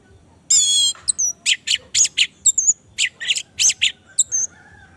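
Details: Lure song of the Orange-headed thrush for a caged bird that will not sing: a long harmonic whistle, then a steady string of short, high, buzzy chips roughly every quarter second, with a few thin overslurred notes.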